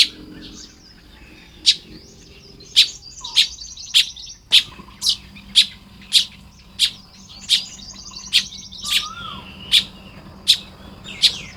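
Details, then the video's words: Baya weaver building its nest on a morning in Lopburi, Thailand, 1 May 2026: sharp, high chirps about once a second, with a low, steady hum underneath and a brief descending whistle. "เสียงนกกระจาบทำรัง ยามเช้า"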